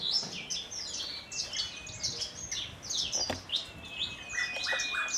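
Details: Javan bush lark, a caged bird of Kulon Progo origin in Indonesia, delivers its 'Jambul'-style song with wing quivering; varied sharp chirps, short slurred notes and a thin sustained whistle.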